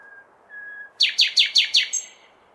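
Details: Common nightingale singing on a May night in a city: two soft, level whistles, then five loud, descending, slurred notes repeated in quick succession, ending with a high thin note, against quiet low background noise.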